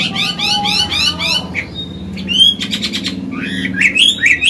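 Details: Chinese hwamei, an older bird with forest-style singing, recorded to stimulate and train caged birds. Rapid trills of rising notes open the clip, followed by rasping bursts and short upward whistles, all over a low hum.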